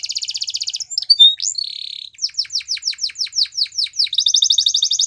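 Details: Canary song beginning with a rapid buzzy trill, then a flat whistle, a series of sharp descending notes and a closing fast rolling trill.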